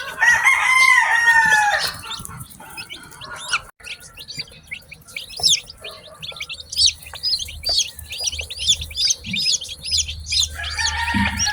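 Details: Newly hatched chicks chirping in a steady stream of short, high, downward-sliding peeps, several birds overlapping, after a loud harsh drawn-out call from an adult chicken at the start.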